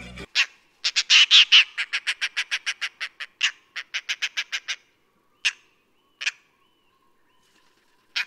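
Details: Oriental Dollarbird in Sri Lanka gives a fast chattering run of about twenty harsh, rasping notes, then three single croaks spaced a second apart; nothing else is heard.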